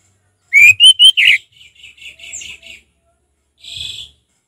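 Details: An orange-headed thrush gives relaxed 'ngeplong' song: three loud, bright whistled notes, then a run of quiet, twittering notes and a brief soft buzzy note after a short pause.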